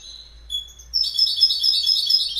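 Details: Goldfinch song: a few thin high whistles, then a rapid tinkling, twittering burst of high notes that runs on steadily without pause to the end.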